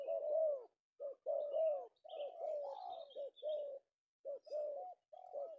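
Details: An afternoon-caught male tekukur, the spotted dove of Indonesia, gives repeated purring coo phrases of several linked notes, with faint higher chirps from other birds above.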